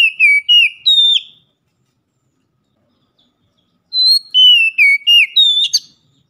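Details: Daily lure song of an Oriental magpie-robin (kacer), loud and chatty: a short run of falling whistles, a pause, then a longer whistled phrase finishing in a harsh buzz.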